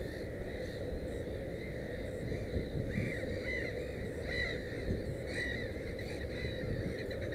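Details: Black-headed gull at a nest with three chicks gives short, harsh, slightly nasal calls in loose bursts about once a second, set against a steady roar of wind.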